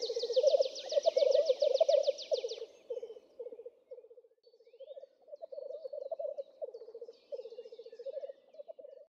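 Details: Black grouse (Lyrurus tetrix), bubbling call.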